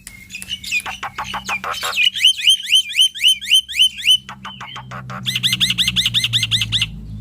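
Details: Male Black-winged myna singing loudly, used to prompt other mynas to sing: harsh clicks and rattles, then a run of about nine repeated rising hooked whistles, ending in a faster series of looping upslurred notes.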